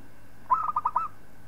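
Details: Zebra dove of a local strain giving a brief song meant as a master recording for teaching other birds. One rolling coo breaks into about five rapid pulsed notes over a quiet humming background.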